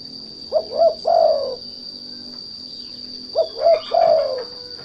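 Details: Lure call of a spotted dove, used to provoke untrained doves into singing: two low three-note coo phrases, two quick rising notes then a longer falling croo, about three seconds apart, over a steady high-pitched electronic whine.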